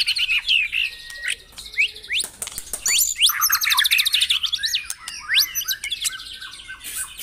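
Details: White-rumped shama song played to get caged birds singing: scattered high whistles build into a busy, buzzy chorus of rapid trills and sweeping notes, with sharp clicks mixed in.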